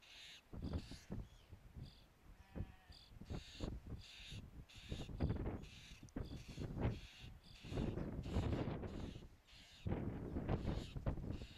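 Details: Common Starlings of the Shetland subspecies (Sturnus vulgaris zetlandicus) in Shetland, UK, in July 2013 give harsh, grating calls in quick, irregular bursts with an occasional thin whistled note, over a deep rumble, probably wind.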